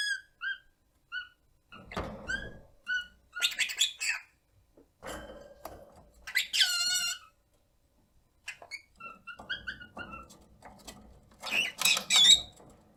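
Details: Pet rosy-faced lovebird at 1 year 9 months in varied chatter: rapid soft chirps and squeaks, grating buzzy phrases, a rattling trill and sharp squawks, loud and quiet passages alternating.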